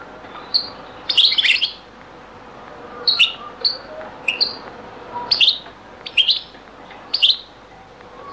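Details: Goldfinch song in the Algerian Beni Messous 'zaboka' style, from a very old recording. Short high twittered phrases of sharp chips and slurred notes come roughly every second, with quiet gaps between.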